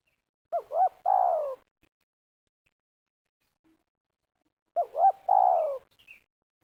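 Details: Spotted dove recorded in Liwa, West Lampung, Indonesia, during luring with a trap. The dove gives two phrases spaced about four seconds apart, each two rapid wobbling notes leading into a long, soft, falling coo, against an otherwise quiet background.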